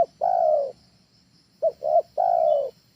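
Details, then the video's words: Spotted dove trained as a lure bird: a long drawn coo, a pause, then two short coos and another long one, low and mellow over a soft background rumble. "SUARA TEKUKUR AJARAN, SANGAT COCOK UNTUK PANCINGAN DI RUMAH"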